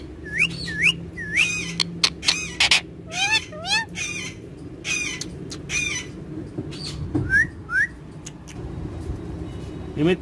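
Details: Pet green parrots making quick upward-slurred whistles and scratchy squawks in uneven bursts, quieter stretches between, over a faint continuous low drone.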